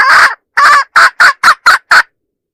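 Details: Hen used as a decoy to attract roosters gives two long raspy notes, then five shorter notes quickening toward the end, then silence.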